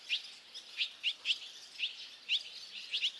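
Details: Barn swallow young leaving their nest, five chicks fledging almost at once; crisp high chirps about every quarter to half second, a few in quick pairs.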